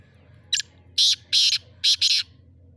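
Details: Black francolin, known locally as kala teetar, at Bhiria City: harsh, grating broadband notes, a short single note followed by two pairs of longer rasping bursts, over a quiet background.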